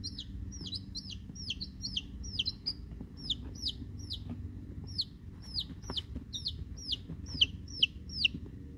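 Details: Brood of week-old chicks (Rhode Island Red, Black Sumatra and one unidentified) giving a steady stream of shrill descending peeps, about two or three each second, with faint low hum beneath.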